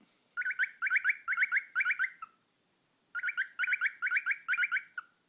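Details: Cockatiel kept as a pet, making funny noises: two clear bursts of quick, ringing, upward-flicking chirps, roughly eight notes each, with a pause of about a second between them.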